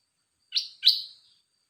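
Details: Red-whiskered bulbul: two loud, bright chirped notes in quick succession, each sweeping sharply then trailing off, in an otherwise silent background.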